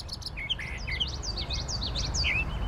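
A Brown Thrasher sings a rapid run of varied, slurred chirps and whistles, some phrases seemingly doubled, over a steady low rumble of background noise.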